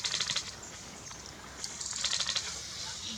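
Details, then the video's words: Club-winged manakin at Milpe Bird Sanctuary, Ecuador, giving rapid bursts of dry, high ticking clicks, two clusters about two seconds apart, over a soft forest hiss. "Club winged Manakin"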